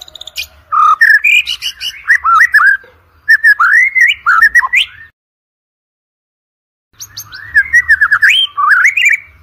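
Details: Energetic white-rumped shama song for spurring murai batu competition birds: fast, rising whistled notes and sharp clicks in bursts of a few seconds, separated by a two-second silence.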